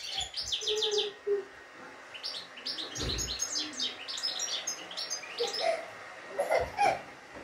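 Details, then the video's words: European goldfinch kept by its owner, praised for a good, unbroken song with 'şak şak' notes: rapid tinkling twitters and buzzy trills in bursts, with a few lower notes and thumps between. "İyi ötümlü saka kuşu"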